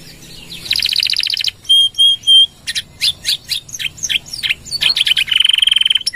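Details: Canary song used as a lure and for training other birds: a buzzy trill, three pure whistles, sharp scattered notes, then a fast rattling trill.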